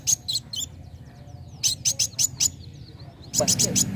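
A sunbird sings in quick bursts of thin, very high, sharp notes with faint sliding whistles between them, over a low background hum.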